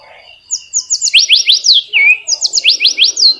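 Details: Flycatcher song meant to prompt silent caged flycatchers: rapid series of loud, ringing downslurred notes, two phrases about a second long separated by a brief rising whistle.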